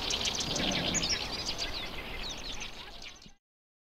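A Black-browed reed warbler sings a fast, busy stream of high chirps, trills and short buzzy notes, about four per second, over steady outdoor background noise.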